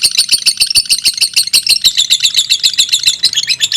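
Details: Competing fighter lovebirds in a long singing bout: dense, shrill, rapidly pulsed chatter with a steady, fast rhythm and no pauses, bright and metallic in tone.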